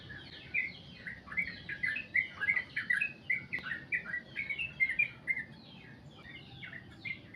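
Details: Sooty-headed bulbul singing the long 'goklik' song. Rapid downslurred chirping notes stream together densely in the first five seconds, then thin into a few spaced notes.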